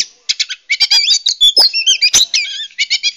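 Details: Lure recording of a female Oriental magpie-robin calling males: a dense, nonstop run of scratchy chirps, buzzy rattles and twisting whistled notes, delivered rapidly with hardly a pause.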